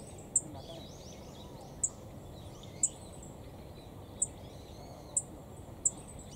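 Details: Black-faced bunting calling in cold weather at a nature park in Kitamoto, Japan: six very high, thin 'tsip' notes at uneven intervals of about one second, over steady outdoor rumble and faint background twittering.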